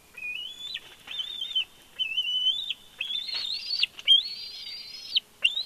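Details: Bald eagle at its nest at Big Bear, filmed by a live nest camera: high, thin whistled calls, each rising then holding level in drawn-out squealing phrases with brief breaks, some clicks between them.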